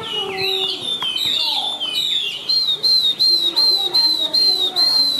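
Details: Chinese hwamei with white wings and white tail, described as singing high and a bold fighter; slurred whistled phrases give way to a steady high whistle repeated about twice a second, each note rising then falling.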